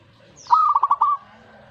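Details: Zebra dove reacting to a master recording delivers a single phrase: a clear opening coo, then four or five quick pulsing notes in under a second.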